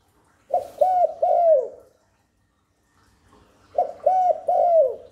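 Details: Spotted dove giving its coo to lure wild doves and stimulate newly kept birds: two three-note phrases about three seconds apart, each rising into a soft, longer final note that falls away.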